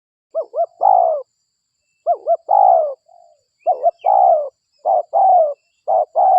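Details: Lure recording of a vocal local spotted dove: mellow low coos in a repeated pattern of two clipped notes followed by a drawn-out coo, about four phrases back to back, clean quiet background.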